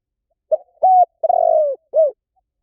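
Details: Spotted dove calling a single four-part coo: a quick low note, a sustained even coo, a drawn-out vibrating note gliding lower, and a short falling final note.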